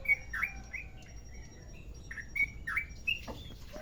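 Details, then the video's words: Sooty-headed bulbul of the Merapi type, long rolling lure song: scattered bright whistled notes and slurs in short bursts with brief pauses and soft background noise. "Trucukan merapi ropel panjang"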